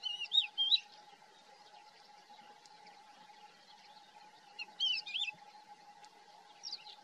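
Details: A calling Thekla's lark at Hoces del Río Duratón gives short, fluty, warbling phrases of a few high notes, repeated after pauses of about four seconds, over a steady low hum.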